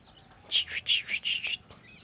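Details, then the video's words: Sooty-headed bulbul, a kept bird, singing a quick phrase of about six rich, warbled notes alternating high and low, each bright and slightly buzzy, delivered within one second, with faint background hum. "Burung Trucuk Sungguh Mau Ber Kicau Terus"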